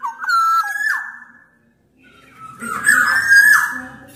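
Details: Loud, persistent Sumbawa black-naped oriole, recorded to get other orioles singing. Clear whistled notes with downward slides, a pause, then a louder, drawn-out whistled phrase with a rough, scratchy edge.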